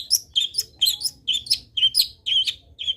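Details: Energetic Long-tailed shrike song full of fill phrases, played to make other shrikes join in: a dense, continuous stream of squeaky, twittering notes with no real pauses.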